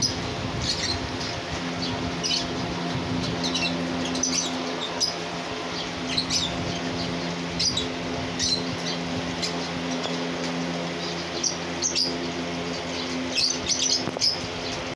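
Cockatiel giving short, scratchy chirps and squawks over a steady background hum.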